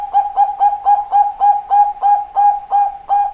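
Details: Bangkok-type zebra dove cooing in steady rhythm: about twelve short, resonant, equally pitched notes at roughly three per second, each with a slight upward flick at the start, in a quiet setting.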